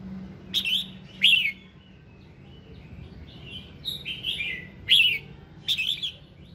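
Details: Red-whiskered bulbul singing in the morning, a song meant to stimulate other birds into song: lively whistled phrases with quick up-and-down slurs, delivered in short clusters with brief gaps between them.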